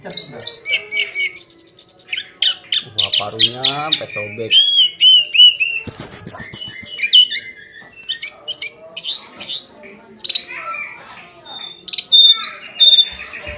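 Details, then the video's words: A hill blue flycatcher sings its daily song, a long, varied warble of sweet high whistles, quick trills and a few harsher buzzy notes, barely pausing throughout. "Kicauan harian Tledekan gunung"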